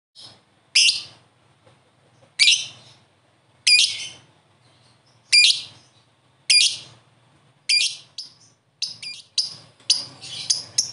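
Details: Lovebird answering another lovebird: sharp high chirps spaced about a second or more apart, quickening into a cluster of shorter chirps toward the end.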